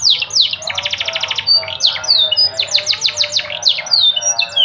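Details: Yellow canary delivering a dense, continuous song of fast high trills and repeated downslurred notes over a soft, low rolling undertone, phrases changing every second or so.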